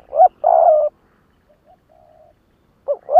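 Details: Spotted dove kept as a decoy bird in Vietnam, giving its "lụp đờn cò" call to provoke wild rivals: a short rising-falling coo and a long level hoarse coo, quiet faint notes after, then two more short coos close together.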